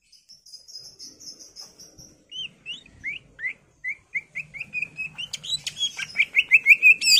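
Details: Greater green leafbird singing in the gacor full isian style used as a pancingan lure: high thin twittering notes, then a fast run of rising whistled slurs, about three a second, growing louder and ending in sharp chirps.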